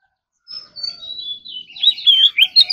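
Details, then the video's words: Oriental magpie-robin, a kept ornamental bird, singing in the morning. A thin high whistle slides gradually downward, then breaks into louder quick warbled and slurred notes. "Kacer Gacor Full Isian Tembakan Mewah || choè than hót đấu"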